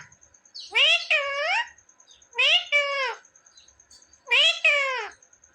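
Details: Pet parrot speaking, said to call "mummy" and "papa": three paired syllables, each pair a rising then falling voice-like sound, spaced about two seconds apart in a quiet room with a faint high whine.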